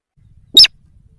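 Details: Lure call of the sintar sawah, used to attract wild birds: one brief, harsh, squealing note with strong high overtones, over faint low background rumble.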